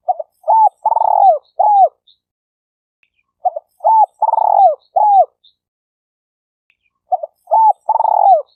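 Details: Spotted dove call used to lure and attract birds: phrases of short cooing notes ending in a longer rolled, falling coo, repeated roughly every three seconds, clean with no other sounds.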